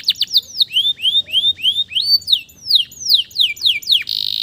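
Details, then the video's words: Male canary in full song, meant to stimulate stressed canaries that have gone quiet; rapid downward-slurred whistles, a series of arched rising notes roughly four per second, then sweeps ending in a fast rattle. "TERAPI KENARI STRESS MACET BUNYI AGAR CEPAT GACOR LAGI DENGAN SUARA PANCINGAN KENARI JANTAN GACOR"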